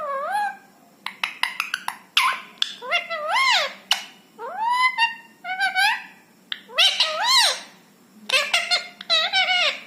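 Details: Rescued ringneck parrot kept indoors, talking in Hindi: a run of short clipped syllables, then several bent, rising-and-falling voiced phrases with rich harmonics, bursts of rapid chatter near the end; quiet room.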